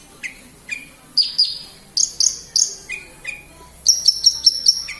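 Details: Branjangan lark in Kediri giving spaced sweeping whistles that build into a fast series of five piercing high chirps near the end.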